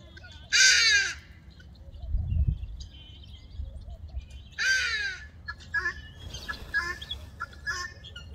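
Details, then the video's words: Roosting guineafowl in Gqeberha, South Africa, chattering through the night across groups in different trees. Loud, harsh, grating calls come in bursts with sliding tones, then shorter scratchy notes, with a faint low thump in between. "Guinea Fowl: Chirpy Chirpy Cheep Cheep All Night Long"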